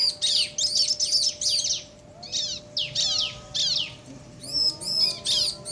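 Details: Bar-winged prinias, male and female, answering each other in a crystal-style ciblek song: bursts of high, arched, chirping notes in quick runs with short pauses between them, and a faint steady hum beneath.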